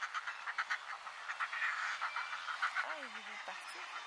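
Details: Northern Fulmar of subspecies auduboni in Iceland, June 2019: rapid guttural cackling pulses, several per second and harsh and croaking, with a brief lower wavering tone toward the end.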